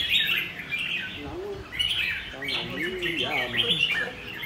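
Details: Red-whiskered bulbul in intense song, giving short, bright, twisting phrases in bursts while people talk nearby.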